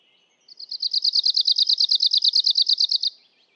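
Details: One Arctic warbler trill: a rapid, mechanical rattle of about twenty high, uniform notes lasting roughly two and a half seconds, opening with a quieter rising lead-in and fading at the end, against a silent background.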